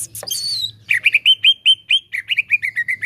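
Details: Cucak ijo, greater green leafbird, singing to prompt a caged bird: a high thin whistle opens, followed by a rapid even string of short chirps, about five per second, gently dropping in pitch.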